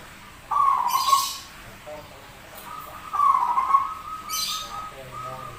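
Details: Rare, strange-voiced zebra dove singing eagerly: two wavering whistled coos about two and a half seconds apart, each followed by a short hissing rustle, plus faint steady tones between.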